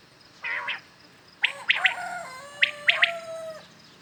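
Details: Common quails calling in the morning, a clean hunting recording: two crisp triple-note phrases, with a fainter earlier burst and long, level whistled tones trailing behind them.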